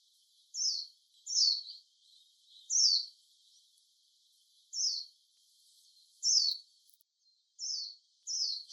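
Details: Wild warbling white-eye calling: thin, high, downslurred notes given singly, irregularly spaced about one to two seconds apart, with a faint background hiss.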